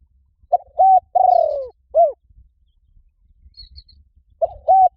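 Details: A spotted dove calling as a lure for wild doves. One full cooing phrase ends in a long falling rolled note and a short arched coo, and a second phrase begins near the end. Faint high twittering is heard in between.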